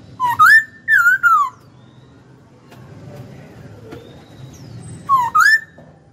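A Hwamei gives loud, clear whistled phrases that dip and then rise, three short bursts with a pause in the middle, over a faint low hum.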